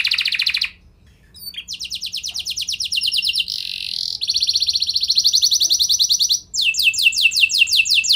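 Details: Canary performing a lure song to get other canaries to answer: a rapid trill, a pause, then long fast rattling trills of even notes, closing with a sequence of quick downward-sweeping whistles.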